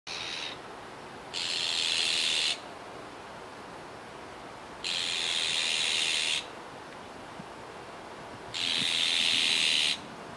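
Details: Juvenile azure-winged magpie at Kiba Park on 17 July 2019, giving loud, harsh, hissing calls, each about a second long, three times at irregular intervals over steady background noise.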